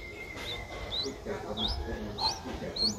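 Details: Streak-eared bulbul nestling, seven days old, whose eyes have just opened, in Ubon Ratchathani, Thailand, on 9 April 2023; short high upslurred chirps repeated about every half second, with faint background murmur.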